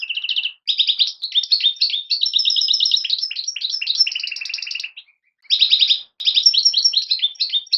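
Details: European goldfinch fledglings calling: dense, rapid twittering runs of buzzy, chattering notes, with brief pauses near the five- and six-second marks before the tumbling chatter resumes, all on a clean, quiet background.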